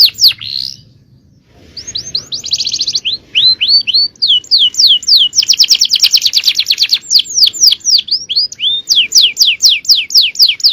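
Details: :Male canary singing a 'cengkok jawara' (champion style) master song: brief buzzy opening, a pause, then long runs of fast, high descending sweeps and dense trills, repeated nearly twice a second, with a faint low hum beneath.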